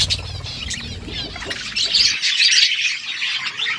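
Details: Budgerigars chattering in the morning, fast squeaky warbling throughout, louder and denser after two seconds, when a low rumbling background sound stops.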